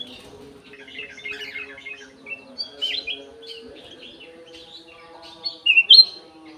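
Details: Golden-fronted leafbird kept in an aviary, giving a clear song of varied whistled and slurred phrases, sparse early, ending in loud sharp rising-falling whistles; a steady low hum runs beneath.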